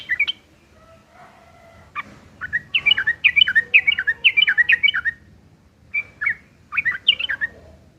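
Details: Aggressive, harsh-chattering fighting song of a yellow-vented bulbul, used to make other birds reply: a few opening notes and a soft drawn whistle, then tight runs of bubbling slurred notes broken by a short pause.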